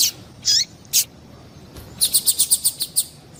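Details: Female double-collared seedeater calling to stir up males: three separate high chirps, a pause, then a quick even run of about eight sharp, very high notes.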